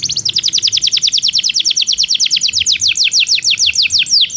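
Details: Belgian canary song used as training for canaries that do not sing: long runs of rapid downward-sweeping high notes repeated several times a second, changing to slower, wider sweeps toward the end.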